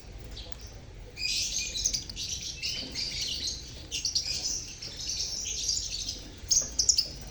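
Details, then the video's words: Many lovebirds in a colony keep up a busy, high, scratchy chatter of overlapping chirps, used to coax mute lovebirds into singing. A few sharper squeaks come near the end, with faint low background rumble. "Pancingan Suara Lovebird Koloni untuk pancingan lovebird bisu"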